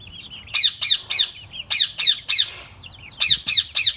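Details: A pet Indian ringneck (rose-ringed parakeet) gives harsh, high, grating squawks in quick bursts of about three, with brief pauses between bursts; nothing else stands out.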